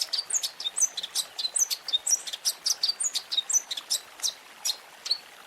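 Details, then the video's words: Long-tailed shrike, a training recording for caged birds with varied fill phrases. Thin, high whistled notes and short buzzy chirps alternate irregularly, several each second, over a faint hiss. "Masteran Burung Cendet Terbaik 2026 | Full Isian Juara Nonstop"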